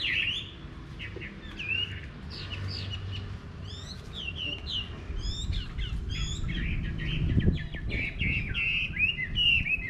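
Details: Chinese hwamei singing in a rural garden: varied slurred whistles and short repeated notes over noticeable low-frequency background rumble.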